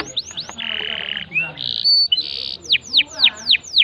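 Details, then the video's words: Canary song played to stimulate a non-singing canary. Quick downslurs give way to a harsh buzzy stretch, a rising slur and a bright steady tone, then five loud descending whistles about three per second. "Pancing Kenari MACET jadi GACOR"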